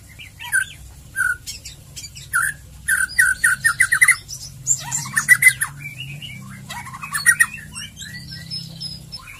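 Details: White-rumped shama in full song, used as lure audio to trigger other shamas into singing, gives a rich, varied run of loud whistles, chattering trills and sharp chips, phrases tumbling quickly over a faint low hum.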